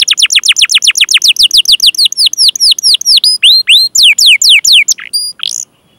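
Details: Canary chirping and rolling song used to train canaries to sing: a fast run of repeated downslurred high notes gradually slowing into separate sharp whistles, ending in a few scattered chirps and silence.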